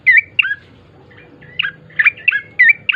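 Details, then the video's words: Gacor bar-winged prinia singing as a lure: two loud, sharp chirps, a pause of nearly a second, then a rapid run of bright, descending chirping notes. "pancingan prenjak coki GACOR❗ agar cepat bunyi"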